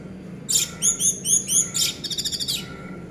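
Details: Orange-headed thrush song, used to prompt silent birds to sing: a high, sharp series of about six clipped chirps, then a fast twittering run of thin notes, over a steady low hum.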